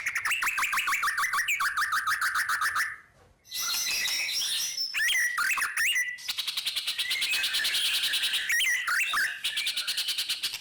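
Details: White-rumped shama in long unbroken rolling song, used to stimulate other birds: dense fast chattering rolls and sharp whistled shots, a brief pause near three seconds, then continuous loud varied phrases.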